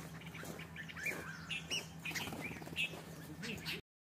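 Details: Bulbuls fighting give harsh, squeaky chirps in quick irregular bursts, about one or two a second, over a low steady hum and faint background murmur.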